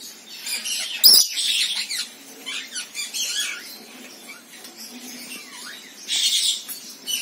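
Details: Rainbow lorikeet, Trichoglossus haematodus, with a loud sharp shriek, then raspy high chatter and a burst of harsh screeching toward the end.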